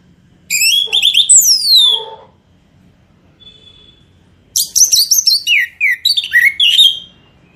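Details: Orange-headed thrush song used as a lure to prompt birds to sing: two loud bursts of varied, rapidly changing whistled notes with sweeping slurs, separated by a quiet pause of about two seconds.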